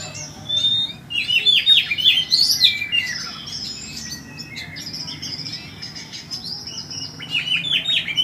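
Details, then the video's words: Oriental magpie-robin singing steadily: a varied run of clear whistled notes, rising and falling slurs and short chirps, densest in the first three seconds, then softer scattered phrases with a quiet low background hum. "Kacer ngeplay"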